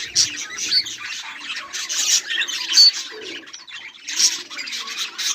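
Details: Budgerigars, several together, recorded 18 July 2023: bursts of high scratchy squawking and chirps come in waves, with a brief lull before a loud burst near the end.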